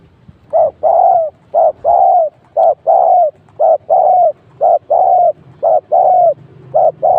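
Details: Spotted dove cooing as a trapping decoy, a pair of wild birds caught at this second spot. Steady series of soft, hollow coos, roughly one per second, alternating short clipped notes with longer drawn-out ones.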